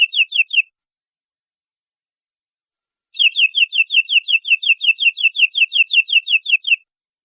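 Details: Canary delivering a short burst of four high chirps, then after a pause a longer run of evenly repeated downslurred notes, sharp and clear, with nothing else audible.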